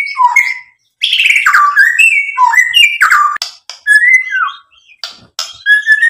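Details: A white-rumped shama sings a lure song that displays its borrowed repertoire. Bursts of bright, falling whistles and harsh chips come in phrases separated by brief silences, ending with a clear, level whistled note.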